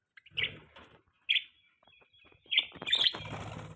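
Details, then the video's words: Budgerigars chirping in the morning while eating, with short scratchy chirps at about 0.4, 1.3 and 2.6 seconds, then a busier burst of warbling near the end over low rustling and handling noise. "Budgies chirping sound|Parakeets sounds"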